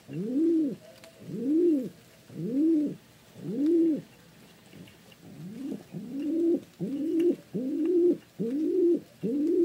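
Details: A pigeon gives a steady series of low, mellow coos, each a rounded swelling note. They come about once a second, slow and spaced at first, then tighter and more drawn out toward the end, with nothing else calling.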